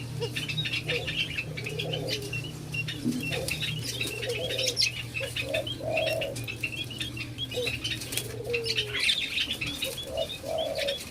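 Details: White-eared brown dove, locally called alimukon, being tamed: short low hollow coo notes repeated at irregular intervals, over busy high chirping from other birds, scattered wing flutters and a steady low mechanical hum.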